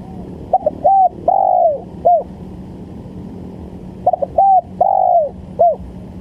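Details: A spotted dove used as a lure for bird trapping gives two rhythmic coo phrases. Each is a short stammer, a smooth coo, a long coo dropping in pitch and a short end note, over quiet background hum.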